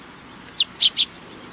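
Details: Sparrows coming to be fed at a Tenmangu shrine on 3 July 2022. Three short, high, bright chirps: a downward-sliding first note, then two brief clipped notes in quick succession, over faint background hiss.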